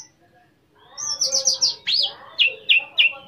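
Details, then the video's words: Orange-headed thrush singing to provoke another thrush: a string of high sweeping whistles followed by three evenly spaced, downward-slurred whistled notes. "PANCINGAN ANIS MERAH CEPAT BUNYI DAN LANGSUNG TELER"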